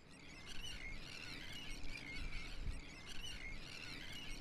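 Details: Many Sandwich terns newly returned in spring to a busy colony on the Wadden Sea give a dense chorus of harsh, grating, overlapping calls over a steady low rumble of wind.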